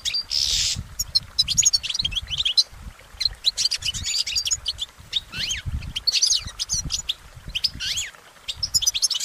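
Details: Goldfinch singing in the wild: a rushing, high-pitched twitter of chirps and quick slurred notes carries on throughout, opening with a brief harsh noisy burst, over faint low background sound.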